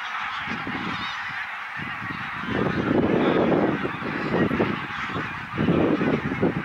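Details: Flocks of many thousands of greylag geese arriving in October from Iceland for a winter stay on Islay, Argyll, Scotland, filmed 7 October 2020 near Kilchoman; dense overlapping honking swelling and fading over steady wind-like noise.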